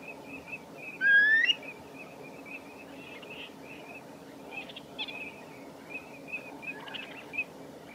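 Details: Common redshank at Nosterfield on 18 March 2018: one loud, clear, rising whistled note about a second in, followed by faint, scattered chirps against a quiet background.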